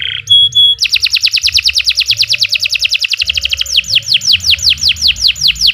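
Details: Canary singing a long song meant as a master recording for teaching other birds: a brief clear whistle, then a fast, even trill of rapidly repeated high notes, shifting to slower, loud downward-sweeping notes, over a low background hum.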